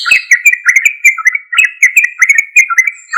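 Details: Yellow-vented bulbul in full, strong song meant to spur untamed or non-singing bulbuls to answer; dense chattering, liquid notes tumbling over one another without pause.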